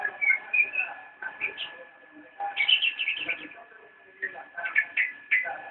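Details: Javan white-eye (cicak rowo) performing its nyinden song, dense twittering phrases with sharp rising whistles and chattering notes in quick runs, pausing briefly between outbursts.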